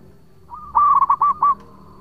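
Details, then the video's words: Zebra dove, local type, singing as a lure bird; one clear phrase of a rapid rolling trill ending in three rounded cooing notes, with a quiet lead-in note before it. "Perkutut Lokal Gacor Suara Panjang buat Pancingan"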